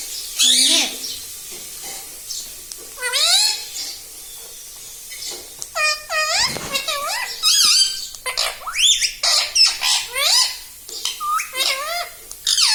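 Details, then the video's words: Pet green ringneck parrot at home chattering learned words such as mummy and papa: rapid bursts of shrill, rising and falling speech-like notes and squeaks, repeated in quick succession with brief gaps. "Mummy ka pyara tota || mithuda || bolta parrot talking video"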